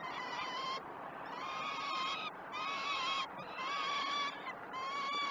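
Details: Nest-cam peregrine falcon nestlings at Great Spirit Bluff, 12 June 2018, begging while fed: repeated rising-and-falling wailing screams roughly every second, sharp breaks between bursts, faint steady tone behind.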